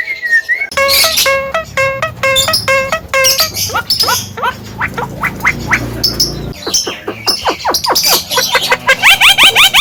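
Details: Male Javan myna in Indonesia, said to mimic human speech: rapid repeated harmonic notes, then a long run of sharp downward-sweeping calls, some harsh and gargling, with brief low background noise.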